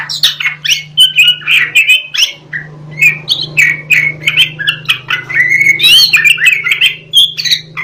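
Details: Oriental magpie-robin of the black-breasted East Java form, delivering a rapid, varied song of sharp whistles, chirps and squawky notes, about three phrases per second, over a steady low hum.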